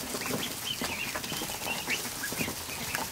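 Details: More than a hundred fresh-hatched ducklings in a barn kiddie pool in the afternoon keep up a steady stream of high, slightly wavering peeps over a hiss of rustling and splashing.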